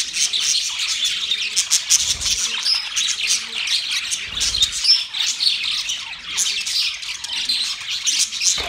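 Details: Mating budgerigars sing together in a steady, busy chatter of fast chirps, raspy squawks and brief whistled notes, overlapping without a break.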